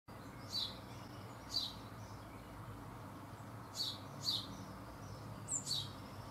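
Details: Young Eurasian bullfinch, one of a likely brood of 4 or 5, feeding in a garden in June 2015, calling: short, high, thin chirps, singly or in quick pairs, every second or so over a steady low rumble.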